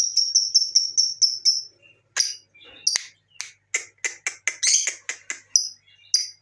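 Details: Lovebird chirping used as a lure to get other lovebirds singing: a run of evenly spaced high chirps, then a pause followed by harsher, broader clicks and squeaky notes in an uneven sequence.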